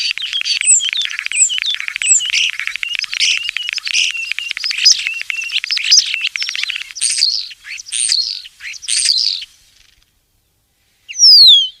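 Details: Common starling, said to live in flocks and to be a crop pest, sings a varied rambling song of rapid clicks, rattles, squeaks and thin whistled notes for about nine seconds, then a pause and a sharp descending whistle.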